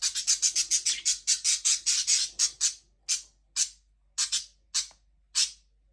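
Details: Budgerigars calling in quick harsh chirps, about two per second, which slow to single squawky notes spaced half a second or more apart.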